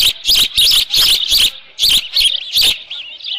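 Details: Osprey at the nest, Dunrovin Ranch, June 13 2018, late morning beside leftover fish: rapid, insistent high chirps, about three per second, briefly pausing, then resuming and trailing into softer whistled notes.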